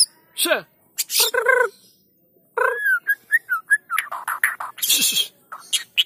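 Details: Song of a white-rumped shama used to coax other shamas into song: harsh bursts, a quiet gap, then a run of short clear whistled notes and chattering phrases.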